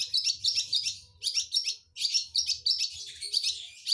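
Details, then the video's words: Javan bush lark singing vigorously in Jombang, East Java, Indonesia: a rapid stream of high, chattering, twittering phrases in quick bursts, with short pauses between groups and a faint low rumble underneath. "BRANJANGAN JAVA GACOR NGOTOT DI BAWAH"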